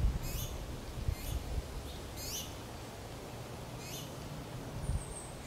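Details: Baby finches asking their mother for food: five high, shrill, falling cheeps, a few faint, spaced unevenly, with low rustling thumps.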